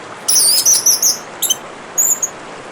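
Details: Orange-headed thrush with running water behind it, giving a high, thin phrase of rapid warbled notes, then two short squeaky fragments after brief pauses.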